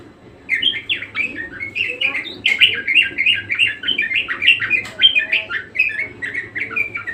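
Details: Lively budgerigar (Melopsittacus undulatus) song starts after a short quiet moment, then runs as an unbroken, fast twittering warble of squeaky chirps and clicks for about six seconds over a faint low hum.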